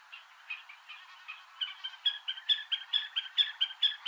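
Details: White-tailed eagle chicks in Iceland, feeding on lumpfish, give thin, high piping calls. The calls repeat about twice a second and grow louder and more regular toward the end.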